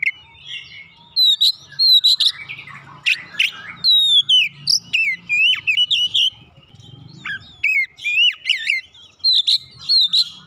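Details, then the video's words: Lively gacor song of an Oriental magpie-robin, intended to make a sluggish bird sing. Ten seconds of varied whistled phrases, sharp chips and sweeping slurs follow one another rapidly over a soft low hum. "hitungan detik merangsang Kacer malas bunyi langsung gacor"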